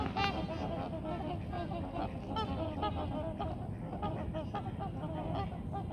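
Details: A group of Trumpeter Swans taking off at sunset from water and land honk in a loud, overlapping chorus of nasal, horn-like calls, with rumbling wingbeats and water noise. Before takeoff, family members call to each other.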